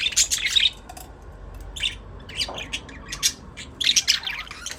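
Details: Budgies keep up rapid, high scratchy chirps and chattering warbles in irregular clusters, loudest at start and end.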